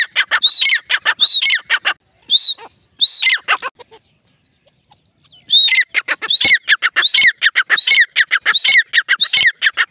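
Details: Grey francolin calling in two bursts separated by a short silence, each a loud series of high arching whistles mixed with harsh, raspy clucking notes, rhythmically repeated.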